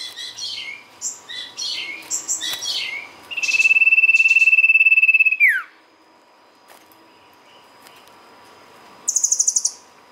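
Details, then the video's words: Sirtu (ashy tailorbird) singing as a lure: several sharp descending chirps, a two-second steady pulsed trill ending in a down-slurred note, quiet, then a brief burst of very high rapid notes. "pancingan sirtu gacor"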